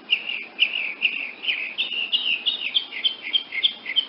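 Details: Rapid high chattering from a woodnymph hummingbird: quick, squeaky notes running together in an uneven, twittering stream that speeds up toward the end.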